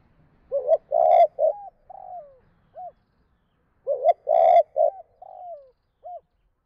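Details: Two-phrase (2 cốt) spotted dove calling used to provoke wild doves: two full phrases, each a throaty triple coo followed by two softer, falling, drawn-out notes and a brief final hoot.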